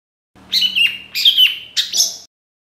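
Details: Long-tailed shrike singing, a lure intended to make reluctant shrikes respond: three separate buzzy, grating phrases, each under half a second, with brief pauses between them.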